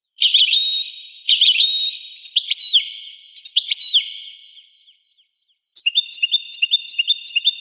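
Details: Rare 1985 recording of a European goldfinch: short phrases of sliding, twangy whistled notes, then a pause and a fast run of repeated clipped chirps, high-pitched and clear, with no background noise.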